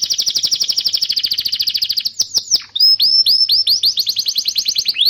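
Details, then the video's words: Canary song used as a lure to teach young birds and restart singing: fast even buzzy trill repeated many times per second, then downward sweeps and a series of rising slurred whistles. "Suara burung kenari gacor Pancingan kenari paud kenari macet bunnyi"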